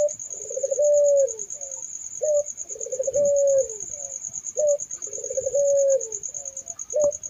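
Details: Puter dove giving its melodious coo: three drawn-out low notes, each followed by a short clipped note, repeated about every two and a half seconds. A constant high, rapidly pulsing buzz sounds in the background throughout.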